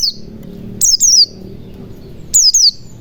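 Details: Lure recording of a white-eye for prompting reluctant birds to sing. Piercing high whistled notes fall in pitch, given in paired bursts about one and a half seconds apart against a low steady rumble.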